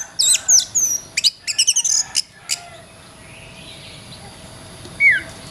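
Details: Oriental magpie-robin singing as a training model for songbirds: quick high whistles and a rapid burst of repeated sharp notes, then a long quiet stretch with faint hiss and one last slurred whistle.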